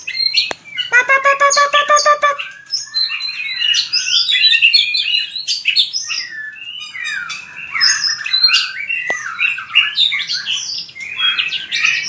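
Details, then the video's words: Fighting song of a white-rumped shama trained for singing contests. A rapid run of clicking, harmonic pulses opens, then a dense, continuous stream of bright whistles, trills and slurred chirps. "Luyện chòe lửa hót đấu/luyện giọng chòe lửa/kích lửa shama bird"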